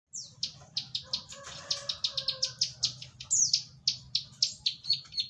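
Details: Bar-winged prinia in lively, vigorous song: a rapid run of short, high, buzzy notes repeated several times a second for over five seconds, with a steady low hum beneath.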